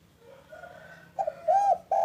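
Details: Local spotted dove calling in the afternoon, a chatty bird: faint low cooing first, then a short sharp coo, a longer arched coo and another coo cut off at the end, mid-pitched and hollow.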